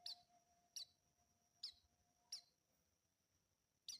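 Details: Juvenile white-eye giving brief high clipped chirps, five in four seconds at roughly regular spacing, with a faint steady high whine and a brief low tone in the background.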